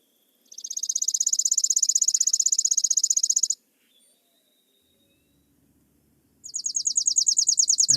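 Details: Chipping sparrow (Spizella passerina) song: a slower, more musical, pure-toned trill of about three seconds, less buzzy or metallic than usual, with a second trill starting near the end; species found in pine woods and urban places like parking lots.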